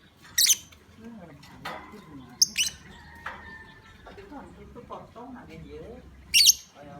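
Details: Lovebird lure call, used to provoke other lovebirds into calling: three sharp, shrill, high-pitched bursts spread over seven seconds, with faint lower chirping and murmuring in between.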